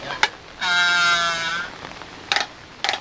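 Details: A Laysan albatross couple courting in the rain: one gives a long, nasal, bleating moan lasting about a second, with sharp bill clacks before and after it.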